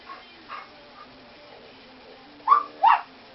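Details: Female pet parrot imitating a small toy-type dog's bark: a few soft, faint yaps early on, then two loud, sharp yelping barks close together near the end.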